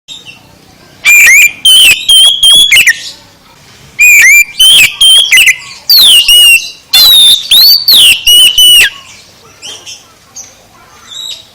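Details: Oriental magpie-robin song played loud to rouse a sluggish bird into full singing: bursts of rich whistled phrases with sliding, warbled notes and sharp clipped accents, grouped in fast runs separated by short pauses.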